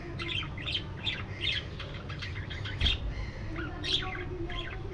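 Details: A flock of budgerigars in a spacious aviary chatters with quick, scratchy chirps repeated several times a second, overlapping squawks rising above a constant low background hum.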